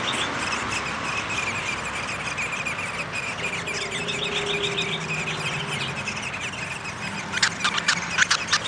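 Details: At a downy woodpecker nest during feeding on 20 May 2021, a quick run of stacked, chirping notes rises from steady background hiss, followed by several loud sharp knocks and short bursts near the end.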